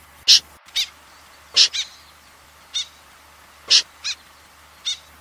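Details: Common snipe from a 2020 recording, uttering sharp, scratchy high calls, often in quick pairs, spaced irregularly about a second or more apart, with faint background hiss.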